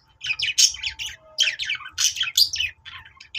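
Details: A budgie song of rapid scratchy chirps and twittering warbles in close clusters, meant to make other pet budgerigars start singing.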